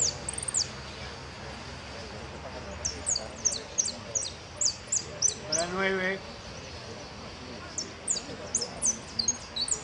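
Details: Goldfinch at a singing competition in the white, no-close category, Federación Irupé cup, 22-02-15: thin high chirps and slurred whistles repeated in quick bursts, with a brief lower rippling sound midway and a faint murmur of people.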